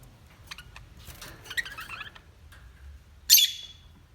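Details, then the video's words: Parrots calling: soft scattered chatter and clicking notes, then one loud harsh high squawk near the end over a low background hum. "Natural Parrot Voices"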